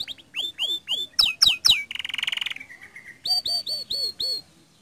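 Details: Canary singing strongly, used to spur other canaries into song: descending swooping notes, a burst of loud sharp chirps, a buzzing roll that fades, then five evenly spaced ringing notes.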